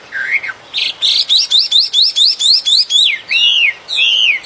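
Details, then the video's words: Wild bird singing in nature: a short rising whistle, then a fast run of about a dozen bright, clipped, upward-slurred notes, ending in longer swooping whistled phrases that rise and fall. Background is quiet. "Chim hót."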